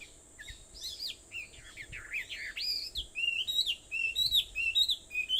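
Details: Early-morning birds at 4:30 on Aobayama, Sendai, Japan, 21 July 2014: tangled warbled phrases at first, then a clear, fast series of rising and falling whistles.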